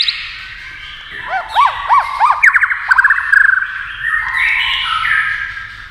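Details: A white-rumped shama competing in song with a TV, beating its tail. After a soft start come repeated arched whistles, then a fast rattling trill, then a sustained warbling phrase.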